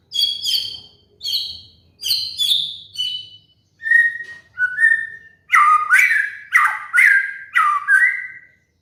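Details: White-rumped shama (murai batu) master song for training moulting cage birds: short whistled notes about once a second, first high and bright, then lower and fuller with sliding, slurred endings, clean and unaccompanied.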